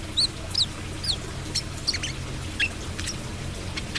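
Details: Brown-throated sunbird giving trotol song: bright, high, down-slurred chirps in quick succession during the first second, followed by softer clicking notes and faint chips over a low background hum.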